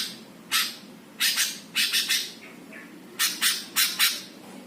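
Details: Greater green leafbird master song meant to rile up other birds: scratchy, loud chattering notes in clusters of two to three, separated by short pauses, over a faint low hum.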